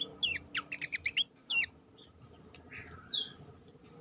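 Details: Horsfield's babbler master song for training birds: a rapid series of short sharp chirps repeated about every quarter second, then a pause and two drawn-out falling whistles.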